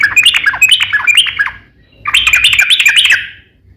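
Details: Sooty-headed bulbul singing to draw replies from other bulbuls, two bursts of rapid liquid chattering phrases of dipping whistled notes separated by a brief gap.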